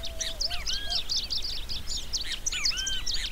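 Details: Long-tailed reed finch singing energetically: rapid, dense series of sharp high chirps and short downslurred notes, mixed with a few lower whistled slurs and a faint steady low tone.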